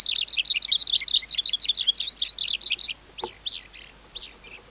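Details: A wild-caught adult skylark sings, its song used to train young skylarks. It pours out a fast, high, twittering stream of varied chirps for three seconds, then gives a few spaced, slurred notes and a single click.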